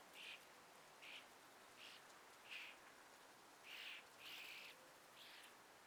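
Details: Birds at sunrise in breezy trees give a series of bright, high chirps, roughly one every second at first, then longer buzzy notes close together, over a constant hiss of wind.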